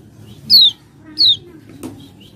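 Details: Common iora lure song to trigger singing: two clear, loud whistles sliding downward about half a second apart, then a sharp click.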